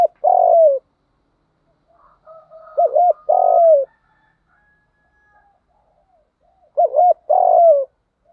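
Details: Spotted dove coo phrases used as a lure to stimulate captive doves into cooing. Three phrases, each a quick wavering double note followed by a long falling coo, come roughly every three seconds with silence between them.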